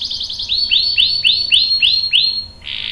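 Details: Canary song meant to train young and adult birds: quick high notes give way to a series of slurred rising whistles at a steady pace, ending in a short buzzy burst.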